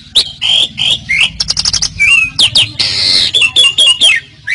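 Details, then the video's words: Asian pied starling (jalak suren) song of the loud 'gacor' style, a busy jumble of whistled rising and falling notes, harsh broadband squawks and rapid clicking runs, all high-pitched with brief pauses between phrases. "Suara Burung Jalak Suren | Gacor"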